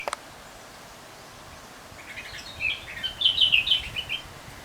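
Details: Bulbuls on a balcony: after a sharp click at the start, a bird gives a quick run of bright, chirpy, slightly warbled notes over about a second and a half, rising and falling in pitch, against a steady background hiss.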